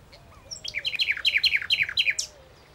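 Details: Common Nightingale, omnipresent on the plateaus of Aragon and Extremadura, Spain, delivering a clear series of about seven loud, repeated, downward-slurred notes, each roughly a quarter second apart, over faint low whistles from another bird.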